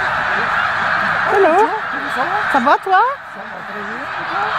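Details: Migrating snow geese at Victoriaville, Quebec, in November 2018: a burst of honking calls with stacked, wavering notes, overlapping one another, heard over steady broadband noise and French conversation.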